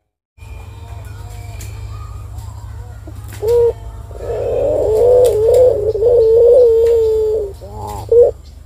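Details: A turtle dove gives a short coo, then a long rolling, wavering coo of several seconds, and ends with one brief coo, over a steady low hum.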